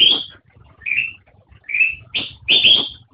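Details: Black-crested bulbul uttering five quick musical notes: a bright opening whistle, two softer rising slurs, then two louder fluty bursts close together.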